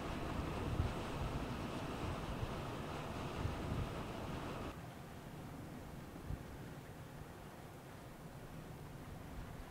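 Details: Steady wind buffeting and low rumble fill the recording, easing midway, with no clear animal calls.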